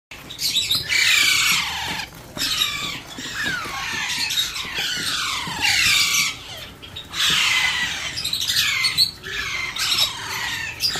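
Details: Alexandrine parakeet chick being hand-fed, giving harsh, rasping squawks that slide downward, in bursts of about a second with brief pauses, repeated through the recording.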